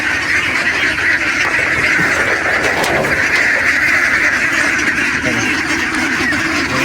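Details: A flock of domestic ducks, mostly the females, keeps up a dense, continuous chorus of overlapping quacks and nasal calls at feeding time, having been calling for food, with a man's voice faintly in the background.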